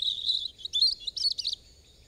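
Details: European robin song fragment: a high, thin sustained warble followed by quick tinkling trilled notes, then stopping; faint background hiss.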